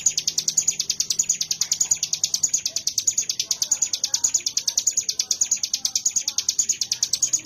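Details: Ciblek gunung (mountain prinia) singing in bren style: a rapid, unbroken series of sharp high notes, steadily repeated, with little background sound.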